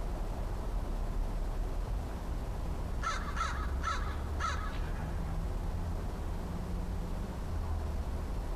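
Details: Last visiting crow friend of the year, heard October 13, 2013 and seeming cautious, utters a tight burst of four hoarse caws midway, with low droning background noise throughout.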